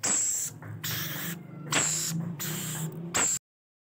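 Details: Rainbow lorikeet young being fed beg with four hoarse, hissy rasps over a low throbbing hum, then the sound cuts to silence.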